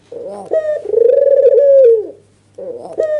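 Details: Albino white dove with red eyes, very vocal while nodding excitedly, its call meant to lure quiet doves into answering. A soft opening note is followed by one long, steady, pulsing coo that falls away. After a pause come the first short notes of another phrase.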